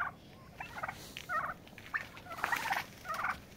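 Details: Turkeys fighting for dominance: irregular husky yelps and chattering bursts, several close together, over a soft background hiss.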